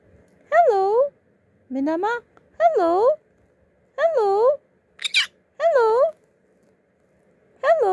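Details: Pet conure, a 14-month-old male, indoors, repeating the Korean greeting 'annyeong' (hi): tonal, rising-falling syllables about a second apart. One short harsh squawk is heard, and a person's voice repeats the greeting.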